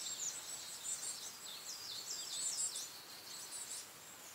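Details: Long-tailed tits in the leafy canopy over a mountaintop parking lot, where a mother feeds what may be a young bird born this year. Several give a steady stream of very high, thin, overlapping twitters and short trills over soft hiss.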